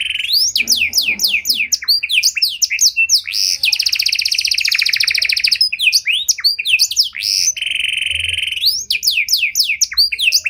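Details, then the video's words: Panda canary singing an elaborate 'cengkok mewah' song used to lure and train other canaries: rapid series of downward-sweeping whistled notes, long buzzy rolls near the middle, a steady high trill, then more quick sweeping notes. "Pancingan Suara Burung Kenari Panda Cengkok Mewah! Ampuh Buat Memancing Maupun Melatih Kenari Lain"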